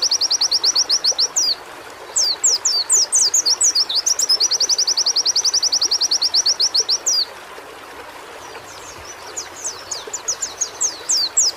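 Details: White-eye singing for a bird-therapy recording: a steady high trill, then a cluster of falling slurred whistles, then another long trill of rapid chips. A quiet gap follows before fainter twittering slurs return.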